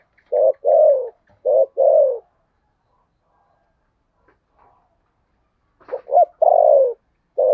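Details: Spotted dove giving contest cooing in the Sấm Thổ voice: paired short and falling coos, a pause, then a double note and a long descending coo.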